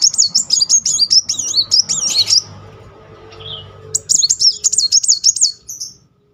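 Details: Kolibri muncang sunbird in full rolling song for coaxing a stalled bird: long, high, fast wavering trills in two bouts, the first over two seconds, then a short lower note and a second bout.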